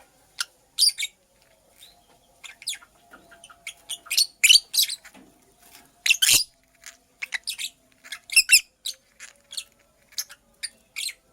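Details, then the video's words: Nest-building female purple lovebird chattering in rapid, piercing high chirps, some in clustered bursts and others single, with near-continuous activity and only short gaps, against a quiet room background. "Purple Lovebird Chirping Sounds - Female Lovebird Makes a Nest"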